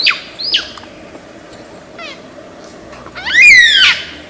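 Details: Lyrebird, a famous mimic of Australian forests, producing quick down-slurred whistles, a few faint buzzy notes, then a loud harsh, harmonic call sweeping downward near the end.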